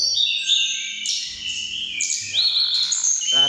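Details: Rival mountain tledekan birds out-singing each other: continuous high, shifting whistles and trills, the pitch stepping between phrases, with brief low murmurs of a man's voice underneath near the end.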